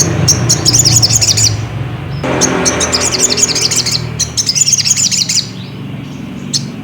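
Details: Song of a Ruby-cheeked sunbird used to stir another bird into singing: three bursts of rapid, sharp, high-pitched twittering notes, each lasting a second or two, with a rush of noise between them.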